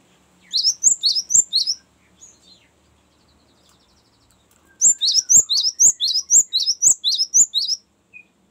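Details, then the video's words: Cinereous tit giving a long rolling song ('ngerol panjang'), used to lure wild birds and to tutor other birds. Two bursts of sharp, high chirps, each about a second long, repeated about twice per second and separated by a pause. Faint clicks and taps sit underneath. "ngerol panjang sangat bagus untuk pancingan gelatik batu dan masteran"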